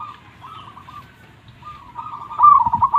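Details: Local zebra dove, with faint trilled coos building into a louder rapid, rolling trill at the close.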